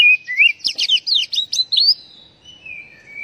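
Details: Kacer, or oriental magpie-robin, song played to make caged birds sing: an upslurred whistle followed by a rapid series of chattering, buzzy notes, ending in quieter thin whistles trailing off.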